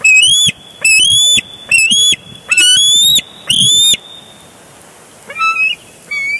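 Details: Bald eagles scuffling over a big fish at their Big Bear Lake nest, 23 June 2022, on a live cam: five loud, rising, whistled squeals in a row, then a pause and two softer, shorter notes.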